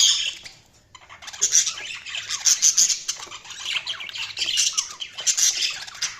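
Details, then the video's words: Budgerigars chirping: a dense, overlapping chatter of high warbles, squeaks and short tweets, rising after a brief lull in the first second and continuing in bursts to the end. "Budgies Sounds| Budgies Chirping sound"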